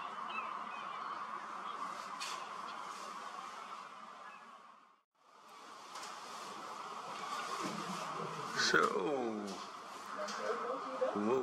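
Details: About 20,000 common starlings (Sturnus vulgaris) arriving in groups at sunset at a communal roost in a big reed field beside a birding lake make a dense, steady wall of chattering and squeaking, briefly cut off midway, with a short swooping whoosh near the end.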